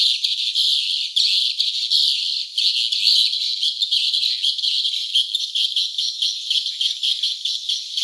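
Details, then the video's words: Swiftlets at the nest: a dense, unbroken chorus of high, sharp chittering and rattling twitters from many birds, pulsing in loudness throughout, with no low sounds at all. "suara sarang burung walet ( swiftlet sound )"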